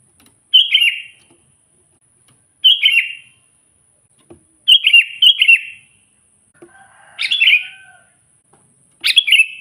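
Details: Sooty-headed bulbul in full song, calling out to wild bulbuls as rivals: short bubbly, warbled phrases repeated about every two seconds, the last two louder and more complex, with quiet gaps between and faint rustling.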